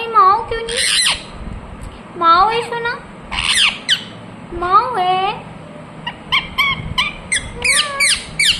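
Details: Talking ringneck parrot mixing harsh squawks with drawn-out, wavering, voice-like tones that rise and fall, spaced irregularly with short pauses between bursts.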